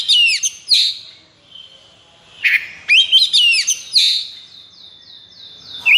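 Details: Kacer, the Oriental magpie-robin, in strong breeding condition, delivers a 'konslet' song: bursts of high sliding whistles and crisp chips separated by pauses, ending on a long steady whistle broken into pulses.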